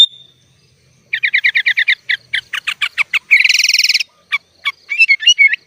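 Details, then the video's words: Sooty-headed bulbul singing gacor with isian of other birds, suited as master song: a long whistle, a fast stuttering series of doubled notes, a dense buzzy trill, then varied bright warbled phrases. "SUARA BURUNG KUTILANG GACOR FULL ISIAN"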